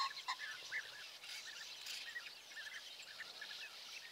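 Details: European bee-eaters on 10 May 2024 in Hungary, early morning at perches set out for passing flocks, call together in a busy chorus of short rolling, liquid 'prruip' notes overlapping several times a second, over steady hiss.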